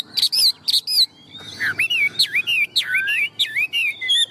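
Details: Loud song from a tame, large Chinese hwamei: a few high, looping whistled notes, a pause, then a quick chain of wavering, rising and falling whistles.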